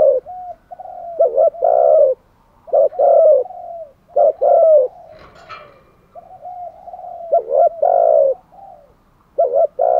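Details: Decoy spotted dove cooing steadily to attract wild doves: a run of deep phrases, short notes then drawn falling coos, roughly every 1.3 seconds, with a brief rustle midway.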